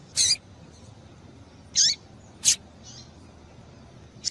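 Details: Female double-collared seedeater calling to stimulate a male to sing; short, high, sharp chips with a downward slur, three loud notes spaced irregularly over four seconds, plus a faint softer note and a brief click, over a quiet low hum.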